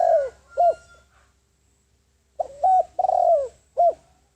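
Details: Spotted dove, a ground decoy bird calling to draw in wild doves: the tail of one phrase, a pause, then a full mellow coo phrase of a short note, a held note, a long rolling slurred coo and a final short note.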